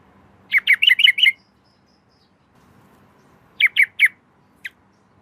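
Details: Night calling of a female yellow-vented bulbul to the male: a fast phrase of five or six bubbly notes, a pause, then three spaced notes and one short final chip.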